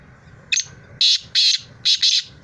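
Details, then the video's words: In Sindh, Pakistan, a black francolin gives a brief opening click and then four loud, buzzy, high-pitched notes in two pairs, the last pair tightly joined, with steady low background noise. "Kala Teeter"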